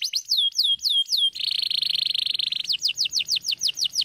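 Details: Canary delivering a few clear downward-gliding whistles, then a dense buzzing trill, then evenly spaced sweeping notes repeated about four times per second.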